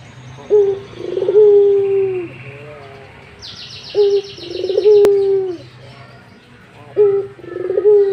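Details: Barbary dove in breeding mood cooing: rolled, stuttering starts swelling into long, steady, low hooting coos, three phrases in eight seconds, with faint high chirps from other birds in the background.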